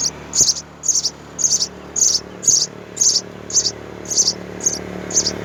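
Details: While both parents feed them, the three young house sparrows in the nest keep up a steady series of eleven high, rasping chirp bursts, about two per second.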